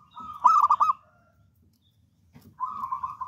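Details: Keenly singing local wild-type zebra dove delivers a quick series of loud, clipped bubbling coos, then after a pause starts a long, even, rolling trill; low background rumble.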